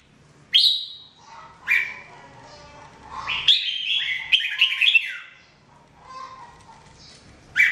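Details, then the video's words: Red-whiskered bulbul (jambul) full singing voice for training, 2017: separate loud whistled notes, then a longer rollicking run of liquid, jumping phrases, ending with a fresh bright note. "Training Jambul bird singing everyday 2017"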